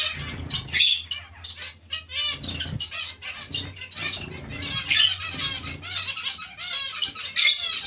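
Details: Zebra finch colony kept alongside other small finches: bursts of nasal, harmonic beeping calls from several birds overlap, with soft wing flutters and a low steady hum underneath.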